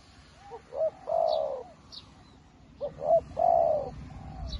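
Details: A newly kept decoy spotted dove, calling like a seasoned decoy, gives two soft, low coo phrases, each a few short notes swelling into a longer hollow coo, with faint high chirps of small birds behind.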